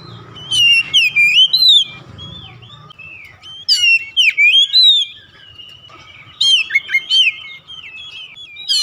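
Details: Oriental magpie-robin song played to coax a house-kept bird that rarely sings into full voice: three bursts of rich whistled phrases with sweeping slurs and quick chirps, separated by quiet pauses of about two seconds.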